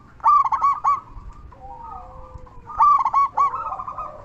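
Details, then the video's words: Big-voiced local zebra dove singing to draw out other zebra doves. Two loud bursts of four to five rolling coos, separated by a quieter gap of softer, sliding dove calls. "Perkutut lokal gacor suara besar cocok untuk pancingan burung perkutut supaya bunyi"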